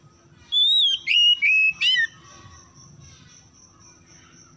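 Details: Oriental magpie-robin song as a lure to restart silent birds: four loud whistled phrases in quick succession, the first a long wavering whistle, then faint low noise and a thin steady high tone.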